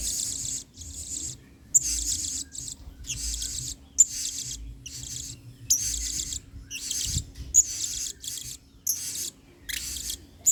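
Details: Blue-crowned hanging parrot in full song, used as a model song for training other birds, in the excited style locally called singa; shrill, buzzy high-pitched bursts repeated about every half second to a second with short gaps, plus faint low background hum.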